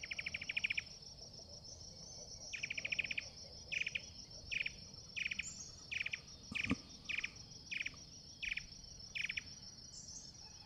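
Rusty-backed Antwren song: buzzy, pulsed bursts repeated in a steady series over a constant insect drone.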